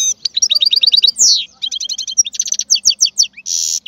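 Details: European goldfinch song: a fast, unbroken run of bright, liquid twittering notes. It mixes quick repeated chirps, sweeping slurred whistles and a brief buzzy rasp near the end.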